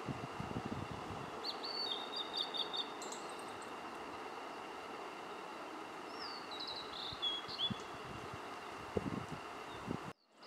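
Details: At Mt. Rokko, Kobe, Japan, a Blue-and-white flycatcher gives two high, clear whistled phrases, the second sliding downward. A steady rushing background like running water and a few low knocks are heard.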